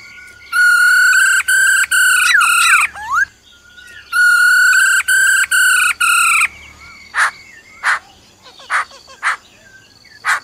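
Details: Black-throated laughingthrush forest song accompanied by the female's trilling: two long, loud, steady whistled phrases broken into segments, each ending in a rising slur, then a series of short sharp clicks and notes.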